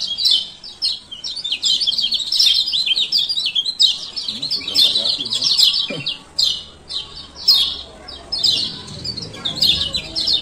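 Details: Steady stream of high, busy chirps from a male lemon-bellied white-eye of Lombok, his 'ciak ciak' calls meant to prompt silent birds to sing again.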